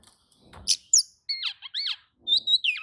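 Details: Oriental magpie-robin song said to provoke other magpie-robins into replying: quick bright whistles, some rising and falling, in several short phrases over a few seconds, with a faint low rustle between them.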